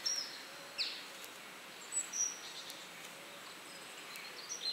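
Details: Red Crossbill perched high in a bare tree gives a few brief, high, sharp 'kip' notes at irregular intervals, fairly faint over a steady hiss of wind or distant noise.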